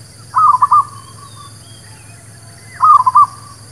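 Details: Lure song of a local zebra dove for trapping and for newly caught birds: a pair of brief, stuttering coo phrases of four notes each, separated by a quiet gap, against a soft constant hum.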